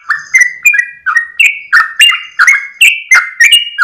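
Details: Loud, close Yellow-vented bulbul singing at dawn, rapid 'ropel' phrases of rich, gurgling whistled notes, each sharply started and sliding lower, about three per second.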